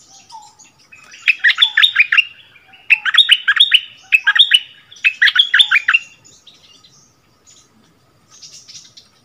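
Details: Decoy bulbul taken back to its former ground to duel in song with a new territory holder, February 2021: three bursts of rich, tumbling warbled phrases, then softer distant chirps.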